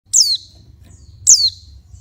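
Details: Female oriental white-eye calling to stimulate males: two high, thin, sharply descending notes about a second apart, each sweeping down quickly, with a faint low hum underneath.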